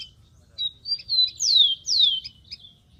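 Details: Loud, clean whistling from a wild rufous-collared sparrow: a level note, then two long glides sweeping from high to lower pitch, with faint chips before and after.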